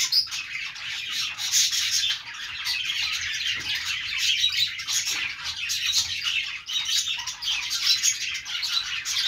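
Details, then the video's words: Budgerigar chirping, a long, steady flock chatter of high squeaky twitters and short squawks layered densely without any quiet gaps. "budgies sounds | parakeet chirping sounds"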